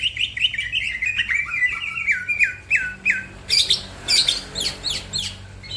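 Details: Green leafbird singing fast, with other birds joining in: a quick series of repeated slurred whistles, then loud, harsh squawky bursts spaced about half a second apart.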